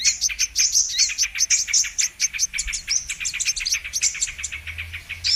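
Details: High, excited chattering of brown-throated sunbird meant as a trapping lure, with rapid sharp chip notes and thin whistles repeated in an unbroken rhythm.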